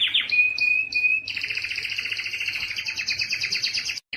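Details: Canary tutor song for young birds: brief high sweeps and a thin steady whistle, followed by a long rapid buzzing trill lasting nearly three seconds.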